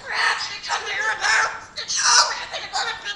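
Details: Talking cockatoo producing speech-like phrases: four loud, raspy, harmonic bursts, each about half a second long, separated by brief pauses.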